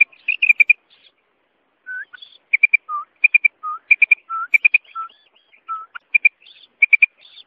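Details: Female common quail (mada batair): short high notes in quick triplets, alternating with single lower, slightly drawn-out whistled notes, separated by brief pauses.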